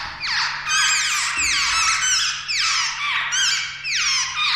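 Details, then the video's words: Jungle babbler chicks, known locally in Uttarakhand as the seven sisters, about to fledge from the nest; harsh, squeaky downward-sweeping calls with rich harmonics, repeated in overlapping bursts about every second, with a low steady hum underneath. "जंगल बेबलर के बच्‍चे आज उड़ान भर लेगें"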